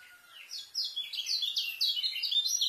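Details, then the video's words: White-eye song used for tutoring young birds: a fast, rapid run of high, sweet, slurred whistled notes that rise and fall, building in loudness and continuing without pause. "KECIAL SPEED RAPET ISIAN,COCOK BUAT MASTER KECIAL BARU"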